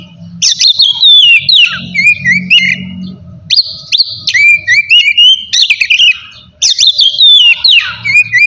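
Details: Loud ngeplong song of the kacer, or oriental magpie-robin, meant to anger rivals and make quiet birds sing: repeated bursts of sharp whistles, chirps and downward slurs in quick succession, with short breaks between bursts.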